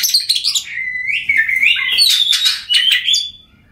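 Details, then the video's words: Oriental magpie-robin in full voice, meant to stir silent magpie-robins into singing: long sweet whistled glides, some rising, mixed with brief scratchy bursts, ending abruptly. "Kacer Bisu, Dijamin Bunyi Setelah Mendengarkan Suara Kacer Ini.."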